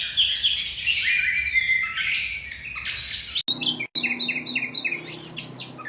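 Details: White-rumped shama song from a master recording for songbird contests: loud, rich run of varied whistles, sweeps and chattering notes, high-pitched and rapid, with a brief break partway and faint low rumble beneath.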